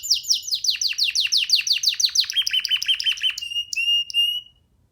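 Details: Canary perched on a person's hand, singing freely: fast rolling trills of descending high notes, then a run of repeated thin whistled notes and a few sustained pure tones before falling silent.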